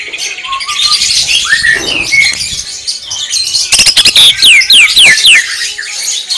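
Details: Greater green leafbird in the 'tembakan' (shooting) song style: dense high chatter with short whistled slurs, then a burst of rapid loud clicks and steep descending whistles repeated near the end.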